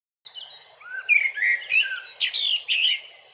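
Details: Eurasian blackbird singing in Grmoščica Forest Park, Zagreb, Croatia, filmed with a Panasonic Lumix DC-TZ90: a short flowing phrase of mellow warbled notes rising into higher squeaky twitters, with no other sounds.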